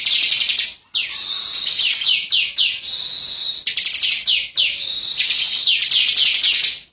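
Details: Bar-winged prinia, a young bird (cikal) of an Indonesian endemic species, singing in the intense, unbroken ngebren style with long dense phrases: shrill buzzy trills of rapid sharp notes and downward-sweeping chirps, broken by a few brief pauses.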